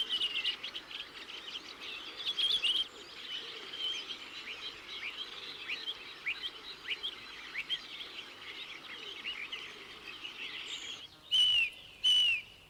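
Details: Redwings, winter visitors from Iceland and northern Scandinavia: soft twittering chatter from several birds runs throughout, then two loud, thin, falling seeping notes near the end, the contact call they give flying overhead at night.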